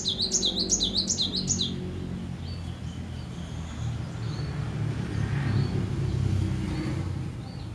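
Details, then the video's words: Cinereous tit in full song: a quick burst of about five bright, high, swinging notes in under two seconds, then a few faint notes over a steady low rumble. "Suara Merdu Gelatik Batu Gacor"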